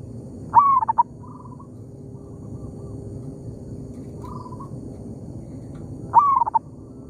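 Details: Local zebra dove calling in an oil palm plantation, trading calls with a decoy bird: two bright whistled phrases, each a rising note trailing into quick stuttered beats, separated by softer distant cooing over a humming background.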